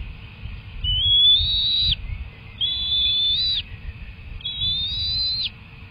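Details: Bald eagle at a nest during feeding sessions with two young eaglets, one hatched January 31, 2024, recorded March 18: three long, thin whistled notes, each about a second and slightly rising, repeated roughly every two seconds over a low hum.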